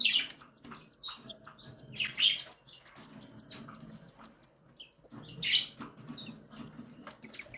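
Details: Cockatiel chicks, one and seven days old, being fed by their mother: soft high chirps and raspy peeps in bursts, with faint clicks and rustling between calls.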